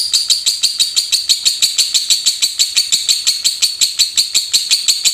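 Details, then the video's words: Lovebird in rapid 'ngetik' chatter: a fast, steady run of sharp, high ticking notes, about six a second, that carries on evenly through the whole stretch in a quiet indoor setting. "Love bird Raja Ngetik!!"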